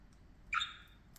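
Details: A parakeet at play gives a single short, harsh chirp-squawk with a slightly whistled edge, then quiet indoor background.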